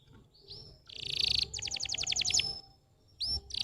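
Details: Canary singing as a stimulus for young canaries that are reluctant to sing, heard more softly: upswept whistles, a buzzy burst, a quick run of high repeated notes, then a swoop and another buzz.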